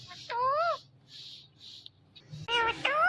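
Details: Indian ringneck parakeet calling its own name: two drawn-out nasal, rising speech-like syllables separated by a pause with soft hissing sounds, over a faint low hum.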